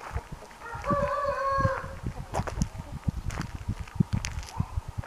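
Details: Orpington chickens, one giving a short wavering crow-like call early on, followed by low clucks, pecking and rustling noises close by.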